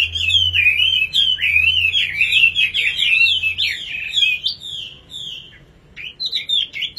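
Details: Singing nightingale delivering a fast, unbroken chattering warble of scratchy notes, then pausing before a few short high whistled phrases, with a soft low hum beneath.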